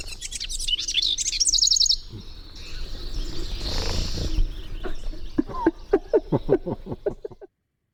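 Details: A House Wren sings loud and close, a bubbling burst of high tumbling notes; a soft whoosh of wings follows as it flies past the recordist's ear, then a run of sharp, evenly spaced ticking notes.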